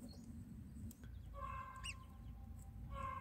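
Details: Baby mynas in their nest while the mother brings food: steady tonal calls start partway through, a quick high chirp cuts in, then another sustained harmonic note over a low rumble.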